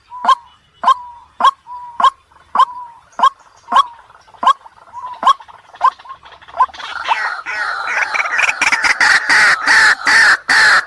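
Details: White-breasted waterhen giving sharp, clipped croaking notes at night, about two per second, then breaking into a louder, harsher and faster chorus of grating calls, used as a night lure call.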